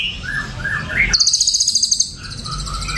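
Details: Ashy drongo song: a few short upslurred whistles, then a fast, high, even trill of about a dozen ticking notes, followed by softer whistles.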